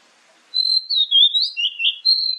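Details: Morning and evening lure song of an Oriental magpie-robin, played so other birds answer: a faint hiss, then loud sweet whistles sliding up and down, a warbled phrase and a final sustained whistle.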